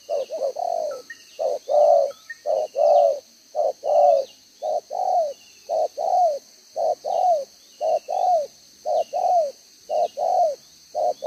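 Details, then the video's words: Decoy spotted dove, wild-type, with a double-row spotted neck collar, giving 'gáy 1 hậu' one-ending cooing, June 2023: rapid run of low mellow coos, short-long pairs with slightly falling tails, distant thin bird chirps and steady hum. "ĐỒNG gáy 1 Hậu"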